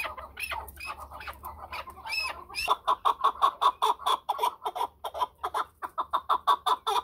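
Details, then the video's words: Chukar partridge: a few rising, squealing notes at first, then a steady train of hard, rapid clucks repeated several times a second. "chakor ki awaz //چکور کی اواز"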